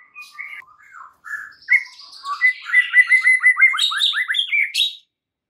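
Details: White-rumped shama singing, a lure meant to set other shamas singing: soft low whistles build into a rapid run of rising slurred notes, climbing higher at the close.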